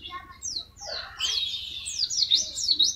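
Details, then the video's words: White-eye (pleci) in the tembakan song style used as a tutor recording: rapid, high, sharp chirps and buzzy trills, sliding down then jumping back up, rising into a dense run of quick notes, with some faint lower warbling early on. "MASTERAN TEMBAKAN BURUNG PLECI"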